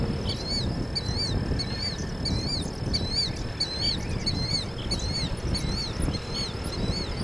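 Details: Short-billed dowitcher at Hornsby Bend on 11 May 2016 giving quick, slurred whistled notes in a loose series about twice a second, over a steady high whine and low wind-like rumble.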